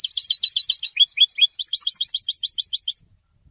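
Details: Goldfinch singing after changing its feathers: three seconds of fast, jangling twittered notes strung in a bright continuous trill, ending abruptly in silence.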